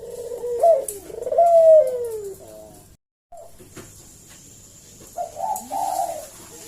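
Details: Eurasian collared dove calling energetically as a lure for a reply. Two falling coos with a sharp accented start give way to a brief silence, then a quieter, wavering coo phrase rises and falls.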